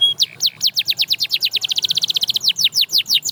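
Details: Canary song encouraging other canaries to sing: a rapid rolling trill of crisp high notes that quickens in the middle and eases into slower, drawn-out downward strokes.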